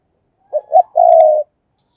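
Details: Spotted dove kept as a caged decoy bird, calling to lure others: two short clipped notes followed by one long, even, low coo, clean and close with no other sounds.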